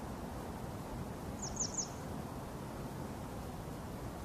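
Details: Grey wagtail (Motacilla cinerea), recorded on a Sony camera with a 200-600mm lens: a quick burst of three sharp, very high thin notes near the clip's middle, set against a steady low rumble of background noise.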